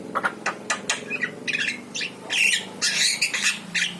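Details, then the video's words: Javan myna (jalak kebo, yellow-eyed) chattering in rough, buzzy squawks and quick ticks, with a couple of warbled whistles, densely packed over a low steady hum. "KICAU JALAK KEBO MATA KUNING"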